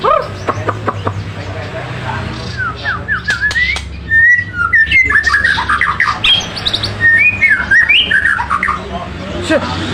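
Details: Magpie robin in full, vigorous song: a long sequence of varied whistles, slurs and sharp clicks, delivered in quick bursts over about ten seconds, with low background voices and room noise.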